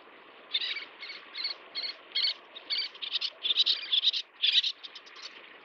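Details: Little tern feeding its chicks: a fast series of short, scratchy high calls, roughly two per second, closing in a rapid excited chatter over steady background noise.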